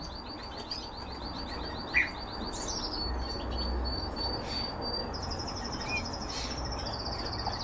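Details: Canary song from birds kept for breeding: a fast, even, high trill of repeated notes for nearly three seconds, then a long thin sustained tone, with a soft low hum underneath.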